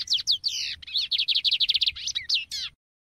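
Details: Lined Seedeater song opening with a few sweeping whistles, running into a rapid string of evenly repeated bright notes, then closing with several varied, slurred upward and downward notes over a low background hum.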